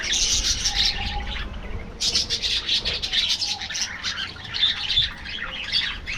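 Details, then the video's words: Captive budgerigar flock in an aviary producing loud, high, grating chatter in rapid bursts, chirps and squawks overlapping, with a brief lull near the middle before the noisy twittering resumes. "parrots,parrot,talking | budgies bird"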